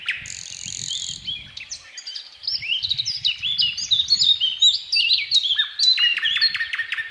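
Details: Thrush nightingale song with a long varied strophe: high buzzy opening, rising and falling warbled phrases, then rapid repeated strokes, over a faint low rumble.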